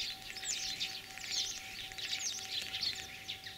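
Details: Common starling, a mimic, singing in spring in Kalyazin district, Tver region, Russia, on 9 April 2023: a dense, continuous chatter of high, scratchy twitters and short whistles, rather faint, with a steady low hum behind.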